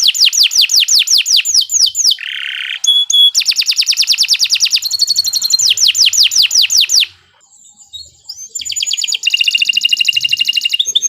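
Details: Canary in long, continuous song used as a training master: rapid rattling trills, series of steeply downslurred whistles, buzzy high phrases, a brief pause near seven seconds, then a bright sustained trill.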